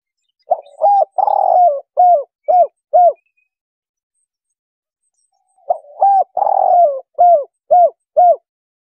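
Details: Spotted dove giving its 'kuk 3' call, used as a trapping lure. Two identical phrases of low, hollow coos are separated by a two-second gap. Each has a rolling, purring note near the start and even-spaced short coos after it.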